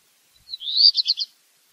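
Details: Black redstart song fragment: a short high warbled phrase, rising then breaking into a few quick clipped notes, lasting under a second in silence.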